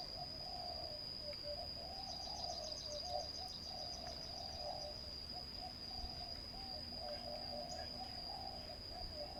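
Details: Spotted dove at a ground trapping spot, repeating low, throaty coo phrases every second or two. A persistent high insect drone runs throughout, joined around the middle by a rapid ticking trill.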